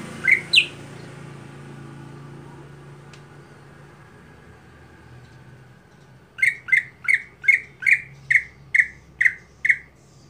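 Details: Greater green leafbird with a monotonous everyday song, kept for contests: two sharp rising notes, several seconds of near silence, then ten rapid, evenly repeated harsh squawks about three per second.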